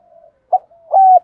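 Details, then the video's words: Spotted dove cooing meant to rouse decoy doves: a soft low murmur, a short punchy coo, then one sustained, steady hollow coo ending abruptly. "cu gáy kích bổi nhanh nổi và hiệu quả, tiếng chim cu cườm gáy thúc gù bài bản/ cu đất gù đấu"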